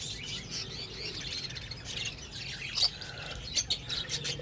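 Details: Budgerigar colony during the breeding season: a steady wash of many high, scratchy chirps and warbles overlapping, with a few sharper louder notes near the end.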